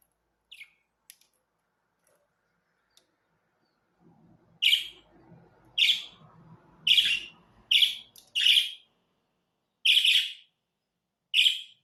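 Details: Budgerigars giving a run of seven short, sharp chirps after four quiet seconds, spaced roughly one second apart, over a low rustling background.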